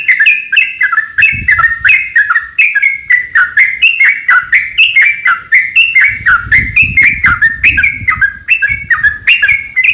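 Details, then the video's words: Yellow-vented bulbul in an energetic fighting song, a lure to make other bulbuls answer; steady chains of bubbly, warbled notes that step up and down, about one phrase per second, with soft low rustling in the background. "KICAU SUARA trucukan gacor ROPEL panjang pancingan trucukan agar bunyi"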